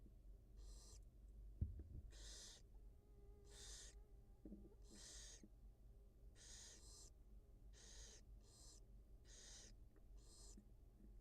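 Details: Feeding her two newly hatched nestlings, a wild barn owl mother at a live cam gives around ten rasping hisses in a loose, steady series, with a brief thump early on and low hum throughout.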